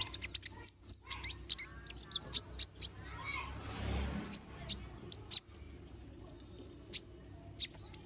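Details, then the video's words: Little spiderhunter, known locally as kolibri ninja or konin, in full chatty song with sharp filler phrases: very high, piercing chips repeated in quick irregular runs, with a soft hiss in the middle and brief gaps. "Kolibri Ninja || Masteran Suara Burung Konin Gacor Bongkar Isian Suara Tajam"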